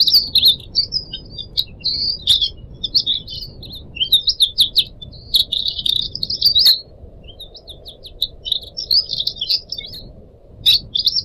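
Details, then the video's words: Pied triller (decu kembang), captive pet birds singing continuous high chattering trills and twittery phrases, with sharp clicks throughout, a low steady rumble underneath and trickling water sounds. "kicau burung decu kembang"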